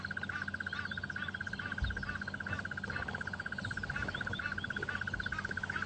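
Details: At sunrise on 3 January 2015, with a leopard a few metres from their nest, a pair of agitated crested barbets (Trachyphonus vaillantii) call. One gives a long, steady, rapid mid-pitched trill like a muffled alarm clock, with faint birds behind.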